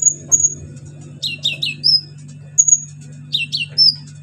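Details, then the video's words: Lure song of an orange-headed thrush with mimicked fill-ins, aimed at prompting silent birds to sing: high clear whistles and fast looping slurred phrases in groups, over a constant low hum. "KONIN GACOR NEMBAK ISIAN PANCINGAN KONIN MACET BUNYI"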